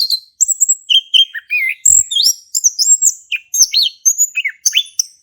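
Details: Male orange-headed thrush in ngeplong song, played to make a silent thrush sing; steady series of high whistled slurs and chirps in short repeated phrases, with one faint low knock.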